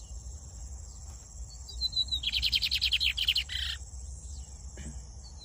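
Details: After a few faint high notes, a brown-plumaged Lined seedeater bursts into a quick run of sharp, buzzy repeated notes lasting about a second and a half, ending in a harsher buzz, with quiet background hiss.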